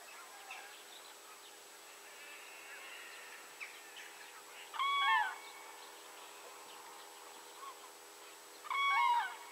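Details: Common crane recorded at location 52.196522, 19.804122: a pair of resonant, bugling calls, each briefly rising then falling away, spaced about four seconds apart, with faint bird calls and steady background hiss between.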